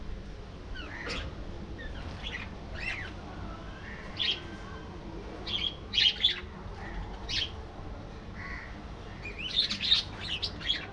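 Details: Budgies in a colony giving spaced, sharp chirps and short trills, clustered near the sixth and tenth seconds, separated by quieter gaps over a faint low hum.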